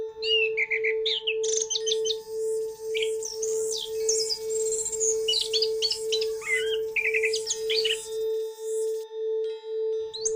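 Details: Orange-headed thrush, used as therapy for birds that have stopped singing, pours out a long, varied warble of high whistles, chirps and rapid trills. A constant low ringing tone hums beneath the whole passage.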